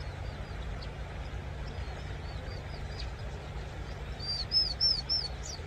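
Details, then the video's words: Vinous-throated parrotbill uttering faint high arched notes throughout, building to a clear, louder series of three or four rapid slurred whistles near the close, over a low steady rumble. "뱁새울음소리 a bird's cry"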